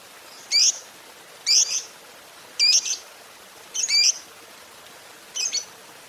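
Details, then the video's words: Fighter lovebird lure for quiet lovebirds: a series of sharp, high, slightly downslurred chirp bursts, about one per second, against quiet hiss. "Pancingan Suara Lovebird Gacor Fighter"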